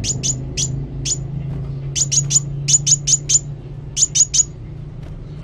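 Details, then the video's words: Actively singing sunbird delivers bursts of thin, piercing high chirps, mostly in rapid runs of two to four notes separated by short pauses, against a faint low background hum. "Kolibri Wulung Gacor"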